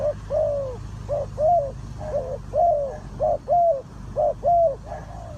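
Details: Spotted dove calls at a bird trap: repeated soft, hollow coos in short arched phrases, about one a second, with overlapping callers over a low rumbling background hum.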